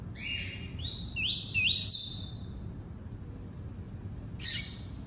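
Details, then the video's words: Tuí-tuí song of a double-collared seedeater: a lower whistle followed by three clear, slurred, rising whistles in quick succession, then a brief buzzy note after a pause; faint low hum underneath. "COLEIRO FLASH ENCARTE (TUÍ-TUÍ)"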